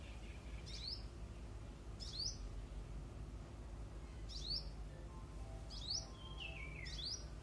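A hummingbird gives thin, high squeaky chips about every one to two seconds, with a brief descending whistle near the end, over steady low rumble.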